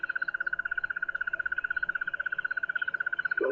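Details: On a morning safari drive beside a relaxed male leopard, a hidden Crested Barbet only meters away gives a long, steady, rapid trill of mid-pitched pulses, about a dozen a second, with faint rustling and a brief low sound at the end.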